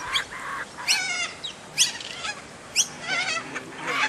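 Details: Young kookaburra begging while its family feeds it, giving harsh, raspy, rising squawks with bright harmonics, about one per second, with brief softer rattling notes between them.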